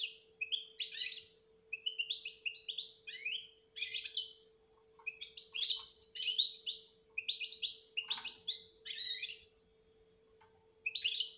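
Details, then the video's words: European goldfinch betbeta song, a style used to bring a silent goldfinch out of silence; sharp, chattering twitter phrases in separated bursts with short gaps, one harsher note near eight seconds, low steady hum beneath. "بتبتة روعة انتى ولمال نتاعها بتبتة وتصفية الكلام حسونك حايخرج من صامتو"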